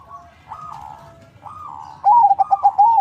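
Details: Zebra dove, a local and Bangkok-line crossbreed from a bird farm in Bekasi, West Java, Indonesia, used as a lure bird: soft mid-pitched coos, then a loud close phrase of rapid wavering, bubbling notes with a fainter dove cooing behind.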